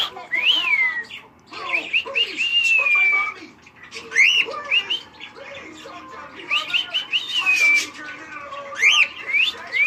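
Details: Pet cockatiel out of his cage in a living room, after cuddles, scratches and a flight: clear whistled notes that rise and fall, in phrases separated by short pauses, with some soft chatter.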